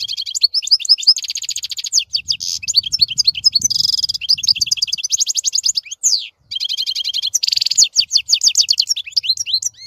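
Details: Continuous goldfinch song of rapid, liquid twittering and jingling notes, broken by several buzzy nasal trills and a short gap, with faint low rumbling in the background.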